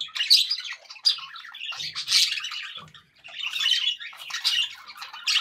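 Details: Happy budgerigars kept indoors keep up rasping, buzzy chatter studded with shrill chirps, pausing briefly midway before the lively twittering resumes.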